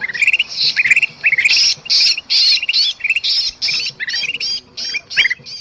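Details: Agitated bulbul (kutilang emas) calling with a trapped bird, Sumatran forest, used to lure birds: harsh buzzy squawks alternating with quick rising chattered notes, roughly two bursts per second.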